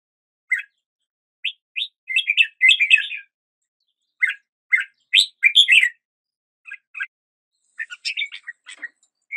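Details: Scattered short chirps and brief warbled bursts from a red-whiskered bulbul, sparser and softer than full song, with silent gaps between notes.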